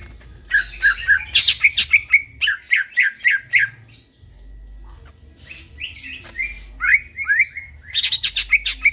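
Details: Greater green leafbird singing gacor at night: dense clusters of sharp, squawky chirps and upward-sweeping notes, a faint sustained high tone in the background, a quieter middle stretch, then renewed rapid bursts.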